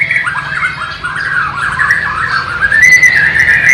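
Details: Captive Bornean white-rumped shama in East Kalimantan, tutored with sikatan londo and nightingale song, filmed on a low-resolution camera about three years earlier; continuous fluid warbling of quick slurred notes wavering and rising, ending in a bright sustained whistle.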